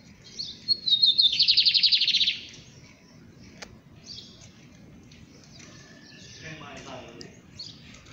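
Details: Lined seedeater, locally called bigodeiro, opening with a few high thin notes that run into a loud, buzzy, rapidly pulsed trill of nearly two seconds, then softer scattered chirps and quieter twittering.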